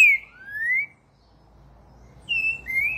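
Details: Brazilian Green-winged Saltator song fragments: a bright falling whistle and a long upward glide, then about a second of near silence, then two more level-to-rising whistled notes.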